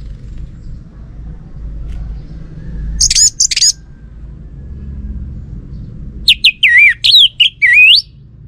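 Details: Orange-headed thrush lure song meant to provoke an answering male: a brief high twittering pair of notes, then after a pause a longer phrase of loud whistles with swooping, looping pitch bends.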